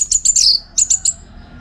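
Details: Orange-headed thrush (anis merah) song for contest training, Bali: a quick series of high, sharp chipping notes, two clusters of rapid repeated chirps with slight slurs.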